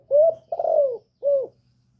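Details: Female spotted dove calling to arouse males: a rising mellow coo, a longer coo that falls away at the end, a short pause, then one rounded closing coo over a faint low hum.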